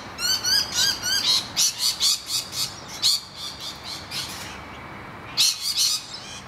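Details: Rainbow lorikeets screaming in distress as noisy miners attack their nest hollow. Quick, wavering screeches come in rapid strings, thinning out, then falling silent before a final short burst.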